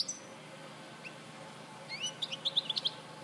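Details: European goldfinch recorded at Larache in 2014; after a quiet start, a short burst of high, sharp tinkling notes arrives in the last second and a half, rapid and twittering, over faint background hiss.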